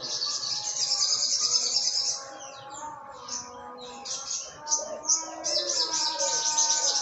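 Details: A kept olive-backed sunbird from Jogja sings 'trotol ngalas' in the morning, a style prized for tutoring songbirds: a long run of very high, rapid twittering, then short sharp chirps about two per second, with softer background whistles.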